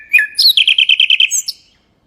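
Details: Brief burst of mangrove whistler song: a sliding whistle, then a fast chattering string of about nine bright repeated notes and a final high accent, clear and close.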